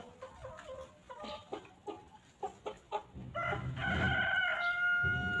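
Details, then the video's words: Free-range farm chickens walking and pecking at fresh grass; a series of short clucks about twice a second, then a long, sustained, wavering call from a hen over the last two seconds. "Chickens Pecking and Clucking"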